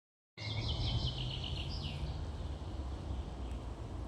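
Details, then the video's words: A nightingale gives a rapid, high, rattling trill of repeated notes for under two seconds over a steady low rumble of wind or distant traffic. "Дивные трели птиц. Nightingale trills"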